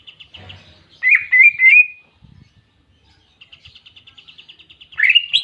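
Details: Greater green leafbird song with clear canary imitation, made for tutoring birds: three strong rising whistles, a quiet gap, a soft, fast, evenly spaced trill, and finally an ascending slurred chirp sequence.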